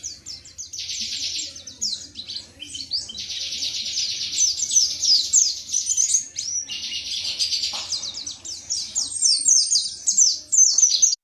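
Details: Indonesian white-eye singing a long 'tembakan materi' sequence: dense, high-pitched chattering and rapid downslurred whistles, about four notes a second, pouring out in surges for over ten seconds with a faint low hum behind.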